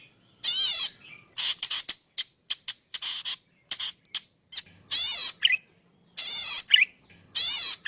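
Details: Zitting cisticola, locally called cici padi or prenjak padi, as a master song for training cage birds: harsh, raspy, wavering bursts, high and buzzy, with quick clipped chips between them, repeated at irregular intervals.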